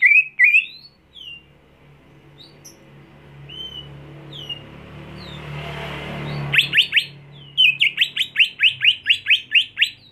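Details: Greater green leafbird, a caged home bird being trained for contest song. Scattered thin whistled notes over swelling background noise, then a rapid, steady train of sharp downslurred whistles.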